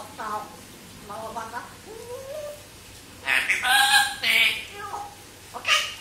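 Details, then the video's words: Captive African grey parrot from Singapore talking: a series of pitched, speech-like phrases, then louder, harsher bursts of mimicked words near the end, in a quiet indoor room. "Larry the African Grey Parrot from Singapore says Mummy loves you & wishes you a Happy Birthday!"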